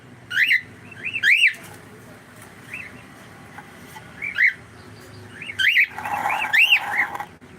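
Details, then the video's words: Indoor cockatiel producing a run of arching whistled chirps, several in quick pairs, with some softer notes and brief human speech-like noise near the end. "Cute cockatiel"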